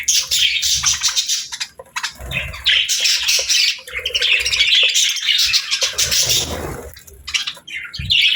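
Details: A lively flock of cheerful budgerigars squawks and twitters nonstop, with rapid irregular high chirps layered into a busy wall of bird chatter.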